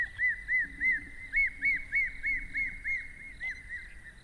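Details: Hamerkop uttering a rhythmic series of clear, arched yip notes, roughly three per second, evenly spaced and gradually softening; background otherwise quiet apart from a faint hum.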